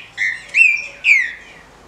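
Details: Captive-bred female green-winged saltator calling to excite males: three drawn-out, slightly buzzy notes, each falling gently in pitch, spaced about half a second apart, with a quiet background.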